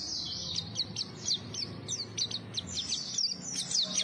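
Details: White-eye song intended to entice other white-eyes: rapid high, thin downslurred notes in a steady stream, somewhat distant, with low rumbling background noise underneath.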